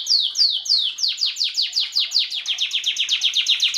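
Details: Belgian canary, a domestic breed, singing in 2016 in a 'bagassando' style used to tutor young chicks; rapid series of bright descending sweeping notes, repeated about two to three times per second, gradually speeding up.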